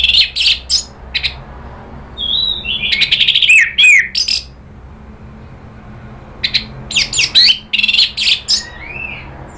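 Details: Orange-headed thrush provoking rivals: bursts of rapid harsh chatter alternate with rich slurred whistles, a quiet pause, then more chattering notes and a final rising-falling whistle.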